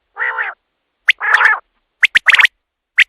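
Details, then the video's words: Common quail voice used at night to attract quail for hunting. A loud, buzzy, nasal note comes first, then a short whistle, a second burred note, and a rapid sequence of sharp clipped notes, ending with a single high pip. "batair ki awaz raat k liye | quail calling"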